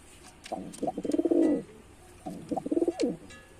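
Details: Male white pigeon performing: two bouts of low, throaty, pulsed cooing, the first longer and swelling in the middle, the second shorter after a brief pause, with faint clicks and rustles behind.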